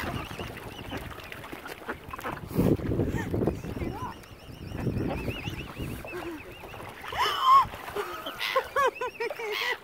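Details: Angry, hungry mother swan at Lough Neagh, Ireland, short of food after algae killed its usual supply; harsh harmonic calls in a rising and falling series late in the clip, over thin, wavering high peeps and background noise.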